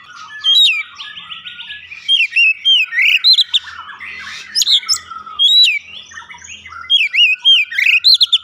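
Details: Lure recording of Oriental magpie-robin song meant to set the bird singing; loud rising and falling whistles and looping slurs repeat several times a second, with faint low rumbling underneath.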